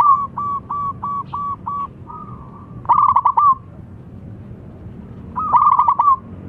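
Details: Local zebra dove calling loudly so others respond: a row of six evenly spaced short cooing notes, then two loud, rapid rolling trills about two and a half seconds apart.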